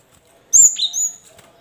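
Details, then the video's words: Cinereous tit song played to stir caged birds into singing: a single clear phrase, a bright high whistle bending down into a lower note, followed by a long, level high whistle. "pancingan gelatik batu macet bunyi biar gacor sahut sahutan"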